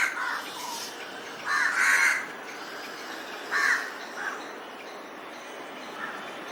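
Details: Crow preparing nest material, giving rough, grating caws: a pair of short calls, then a long drawn-out harsh caw near two seconds, another at three and a half seconds, and softer distant caws after.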